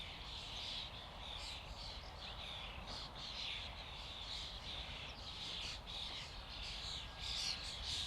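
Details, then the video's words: A common starling flock keeps up a busy, scratchy babble of many birds at once, with rapid irregular chirps and whistles and a soft background rumble. "Flock of starlings/ Stado szpaków/ Ein Schwarm Stare"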